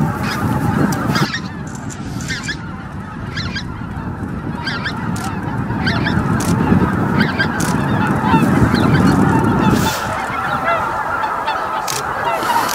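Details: Huge flock of greater white-fronted geese, an estimated 15,000, descending to roost at Miyajimanuma, Bibai, Hokkaido, at dusk on 11 April 2016; dense rapid honking, with higher clear individual yelps standing out above the low roaring chorus.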